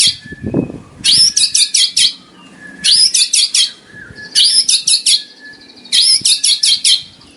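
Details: White-rumped shama song, meant as a tutor recording for caged birds and competition preparation: loud bursts of rapid, high, sharp notes, each burst lasting about a second and repeated roughly every one and a half seconds.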